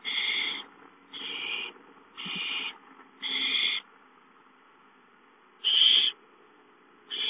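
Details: Owl at a nest on 5/5 as an adult brings a gopher at 8:53 and a young owl snatches the prey; harsh hissing bursts about half a second long, repeated irregularly with short pauses.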